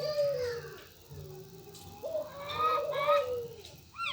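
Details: Local turtle dove (burung puter) giving a run of low, smooth coos that dip and rise, several phrases in a row, with faint higher chirps in the background.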